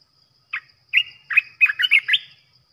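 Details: An olive-winged bulbul kept as a caged lure for trapping: one clipped note, then a rush of six or seven rich, bubbling, slurred whistles tumbling together, ending on a higher note.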